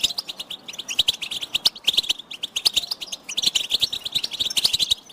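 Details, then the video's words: Group chattering of European goldfinches, used to motivate silent males to sing: continuous bright twitter of quick, high tinkling notes and buzzy trills, with pulses of louder bursts throughout. "بتبتة الحسون تحفيز الحسون على التغريد والهيجان علاج صمت الحسون goldfinch stimulation"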